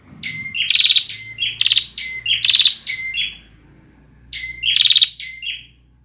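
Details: Young bar-winged prinia practising its incomplete song: rapid high chirps alternating with loud buzzy trills in two phrases separated by a brief quiet gap.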